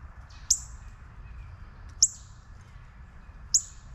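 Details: Juvenile northern cardinal giving three sharp, high, metallic chip notes, each a quick downward flick spaced about one and a half seconds apart, over a steady low background rumble.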